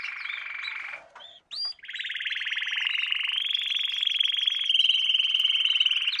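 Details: Canary singing in a lesson for training young canaries; fast rolling trill, brief pause, short upslurred whistles, then a long continuous buzzy trill that grows louder and steps up in pitch.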